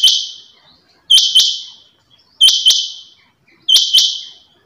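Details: Female rain quail call in Pakistan: loud, harsh, buzzy double notes with sharp onsets and fading tails, given in pairs about every 1.3 seconds. The background is otherwise quiet.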